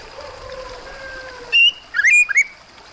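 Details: White-rumped shama heard with water sounds: a faint lower whistle drifts at first, then a bright high note and a short cluster of rising, twisting whistles.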